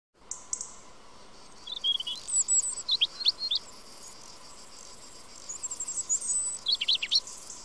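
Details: A European robin (Erithacus rubecula) gives high, thin, glassy notes in two short bursts of quick, varied phrases, over a steady low hum of insects.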